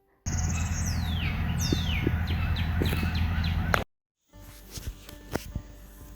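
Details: Male Northern Cardinal visiting a backyard feeder gives a run of clear, steeply down-slurred whistles, about six in three seconds, over a low steady hum; after a pause come faint clicks and rustling.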